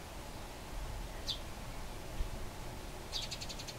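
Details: Wild Eurasian tree sparrows squabbling near Bolesławiec, Lower Silesia, Poland; one quick falling chirp, a pause, then a fast dry chattering rattle of about half a second, soft over a low steady hum.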